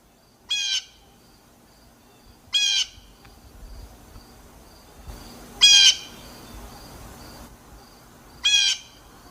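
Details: Blue jay giving four strident, buzzy, harmonic calls, each brief and sharp, repeated roughly every two to three seconds with soft hiss between.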